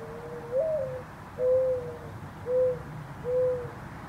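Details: Mourning Dove calling up close in a backyard, its neck bulging with each call: a soft, low, hollow coo that slides upward and swells, followed by three steady, evenly spaced, mellow hoo notes, over a quiet background.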